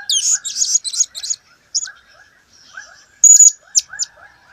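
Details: ['Blue-crowned hanging parrot, recorded in 2015, opens with a jumble of high squeaky chips. Scattered single notes follow, then a sharp thin squeal near the end, over low background chirping of other birds.']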